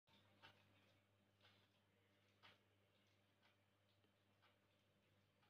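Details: Very quiet indoor room tone with a low hum and soft clicks about once a second, like a ticking clock, and no animal voice.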